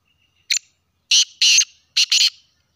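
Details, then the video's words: Sindhi black francolin calling: one short sharp note, then two loud harsh grating notes and a quick doubled note, the whole phrase lasting about two seconds against a quiet background. "sindhi kala teetar pathy ki awaz"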